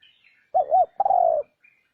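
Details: Lure call of a spotted dove for enticing wild birds: one phrase of two rounded short coos, then a sustained rolling note. Faint higher chirps from another bird can be heard before and after.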